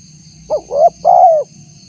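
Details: One phrase of a spotted dove lure call meant to make wild doves answer, tagged as a female summoning a male: a clipped opening coo, a rising second note and a long sliding-down coo, against a constant thin whine.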